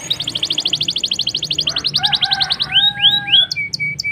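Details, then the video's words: Black-throated canary delivering a lure song to set canaries singing: a steady rapid trill of repeated notes, then lower paired whistled tones with rising upslurs, closing in short flat whistles. "BLACKEN GACOR NGEROL NEMBAK MANTAP.. Ampuh Pancing Kenari Cepat Bunyi"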